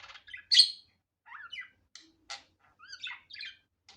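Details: Budgerigar, natural unedited sound: scattered short chirps and squeaks with one louder shrill note, separated by quiet gaps, plus a few soft falling whistles.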